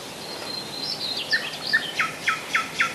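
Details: Near Moscow, at Rassudovo in July 2011, a common nightingale sings a thin high whistle, then a string of loud downward-swooping notes delivered roughly every quarter second.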